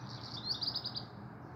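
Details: Black Redstart singing in morning sunshine on a warm sunny day, 22 June 2022: a quick run of high, clipped notes repeated in a brief burst under a low steady rumble.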